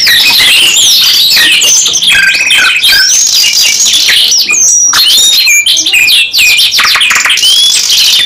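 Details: Canary singing a long, dense, continuous song of rapid high whistles, trills and sweeping notes, with no gaps across the whole stretch, described as a lively singer with long bursts.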